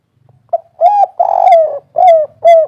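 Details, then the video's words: Spotted dove of local wild stock singing the 'kuk 3' style of song. Deep, hollow coos with a slight downward bend come in a quick series, one long drawn-out note among shorter ones, over a quiet background. "Suara burung derkuku kuk 3 ful gacor"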